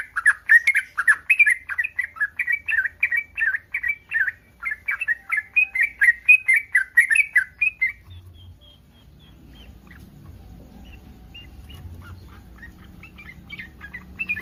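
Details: Yellow-vented bulbul in breeding condition, calling to stir other bulbuls into answering: eight seconds of rapid gurgling chirps in a steady series, then the bird stops and only faint scattered notes and low rumble remain.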